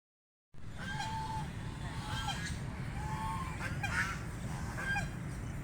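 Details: Ducks calling while feeding: a run of nasal, harmonic honking calls, several drawn out and gently falling, strung closely one after another, with a steady low rumbling background throughout.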